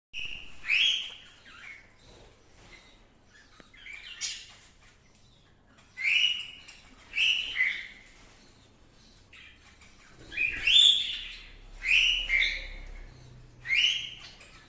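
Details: A proven pair of cockatiels gives loud, rising chirped calls in short repeated bursts, with quiet gaps between them.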